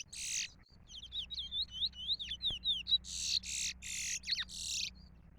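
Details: Chestnut-bellied seed finch (curió) singing a trola-style song: a run of quick whistled, slurred notes, then loud harsh buzzy bursts about every half second, over a faint steady low hum.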